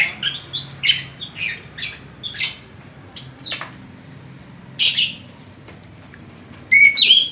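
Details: Orange-headed thrush singing relaxed in the loud, clear, rolling style called ngeplong ngerol: bursts of varied whistled and buzzy phrases, separated by short pauses, ending with a clear rising whistle, over a faint low hum.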